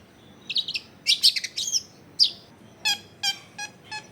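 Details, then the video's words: Long-tailed shrike singing actively, used as a lure to prompt lazy shrikes to sing, recorded at home in a crowded residential area: harsh buzzy high notes in quick bursts, then four evenly spaced rasping calls over a quiet background. "SUARA BURUNG CENDET GACOR PANCINGAN CENDET MALES BUNYI"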